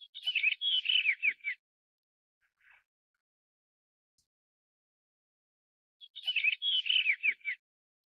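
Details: A Blue Rock Thrush of the blue-bellied subspecies (Monticola solitarius pandoo) gives two short, fluty warbled phrases of about a second and a half each, spaced several seconds apart, with quiet in between.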